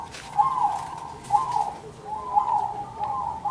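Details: Zebra doves singing back and forth, the birds answering one another, heard beside blooming sunflowers: soft, rolling cooing phrases repeated roughly once a second, each a short trilled burst with a quiet pause between.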